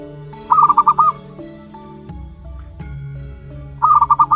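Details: Month-old zebra dove chick from local wild stock delivers two rapid pulsed cooing phrases about three seconds apart, with music underneath.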